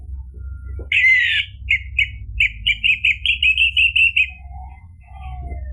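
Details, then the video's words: Song of an orange-headed thrush meant to prompt a bird to answer: an opening rich whistle, then a steady series of about a dozen clear repeated chirping notes, speeding slightly, over a low constant hum. "ANIS MERAH GACOR memancing EMOSI jadi BUNYI NYAUT ikut NGEPLONG ampuh buat terapi macet bunyi"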